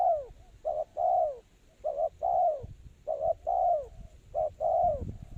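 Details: Lure spotted dove for bird trapping cooing steadily: a brief double note, then a drawn-out coo that bends downward, repeated about once per second with low rumbling noise beneath.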